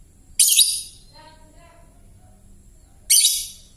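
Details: Hoarse young lovebird still learning to chatter: two harsh, raspy, noisy squawks close to three seconds apart, separated by soft, low scratchy murmuring.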